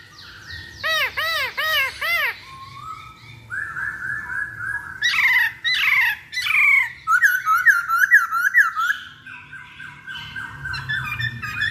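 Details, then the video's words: Masked laughingthrush song used as a lure to make other birds sing: loud, varied phrases, with a run of repeated arched whistled notes, then slurred, rising and falling whistles and chattering bursts, with a faint low hum underneath. "Pancingan Poksay Hongkong Paling Ampuh"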